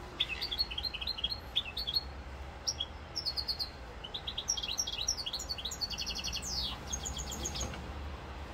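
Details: Goldfinch song from Corsica, recorded 7 November 2022: a fast, continuous, high twittering of liquid chirps and buzzy trills, with one sweeping downward note near the end, over a faint low hum.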